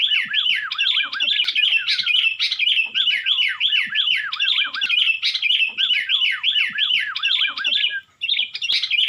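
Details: Persistent, noisy 'Nggaruda'-style song of a Sooty-headed bulbul in Tulungagung, East Java: a continuous stream of looping whistled notes that dip and rise, briefly broken near eight seconds before resuming.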